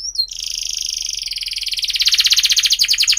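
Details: Canary lure song for young birds learning to sing: a brief whistled note, then a long steady buzzing trill that gradually breaks into quicker, louder repeated pulses.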